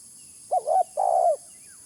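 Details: Single spotted dove lure phrase: a short clipped coo, a wavering middle coo, then a long rolling purred coo that falls away, against a steady high hiss and a faint distant whistle.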